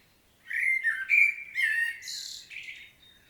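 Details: Common blackbird singing in Świnoujście, Poland, on 25 September 2022: a run of rich, fluty warbling whistles, four or five notes in quick succession, closing with a hissing high twitter and a thin whistle.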